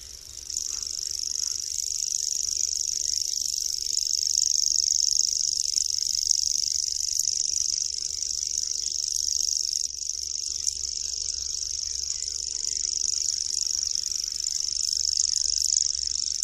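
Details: Common grasshopper warbler (Locustella naevia) reels a long, unbroken, high-pitched insect-like trill.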